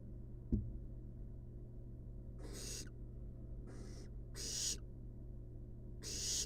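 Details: A sharp click opens, then napping wild barn owl nestlings in a nest box let out four rough, noisy hisses in quick succession, some longer than others, over a low background hum.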